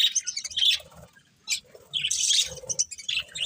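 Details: Budgies uttering bright, squeaky chirps and short whistled notes in quick clusters, a brief quiet pause, then louder rasping chatter.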